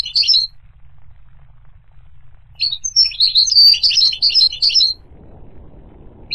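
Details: Goldfinch song: two bursts of high, fast twittering notes, a short one at the start and a longer jumbled run of chirps in the middle, with quiet between.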